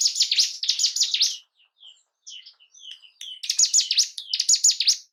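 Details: Bar-winged prinia song meant to excite caged birds to breed and fight: two loud phrases of fast downward-sweeping high notes, a quieter stretch of thin chirps, then renewed loud phrases.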